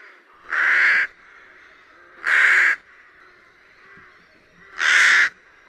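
A rook gives three harsh, hoarse caws, each about half a second long and spaced roughly two seconds apart, against a quiet background.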